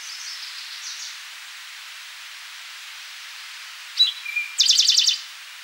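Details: Eastern towhee singing at Rondeau Park in June 2013: after a faint high twitter and a long quiet stretch, two sharp introductory notes lead into a fast, buzzy trill of about a half second, over steady background hiss.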